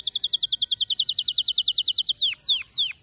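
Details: Canary singing to train young canaries: a steady, fast run of about twenty identical high chirps over two seconds, ending with three loud downward-swooping whistles.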